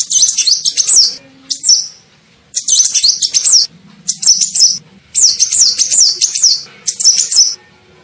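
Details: Shrill sunbird lure call used to attract birds: dense series of rapid high chirping phrases, mostly under a second each with short breaks, plus a faint low murmur in the background.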